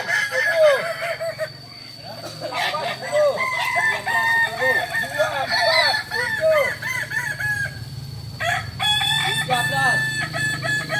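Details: Practice contest for Kukuak Balenggek, the native ornamental chicken of Solok, West Sumatra. Long continuous chorus of roosters, each crow a rhythmic chain of short arched syllables, layered at several pitches, with a low hum and high whine.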